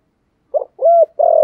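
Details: Spotted dove cooing in the Thổ style, used to lure wild doves: three short soft low coos, the last one longer and steady, in a quiet setting.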